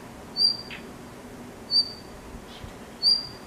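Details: Blue rock thrush (Monticola solitarius) calling from atop a utility pole in Hirakata, Osaka, around 16:41 on June 1: a thin, high, whistled note about every 1.3 seconds, three in all, over a soft background hum.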